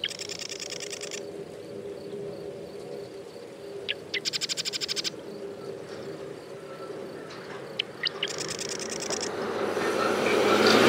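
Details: Marsh wren singing three bursts of rapid, dry rattling trills, high and mechanical, separated by short pauses and a few sharp clicks, with rising rushing noise near the end.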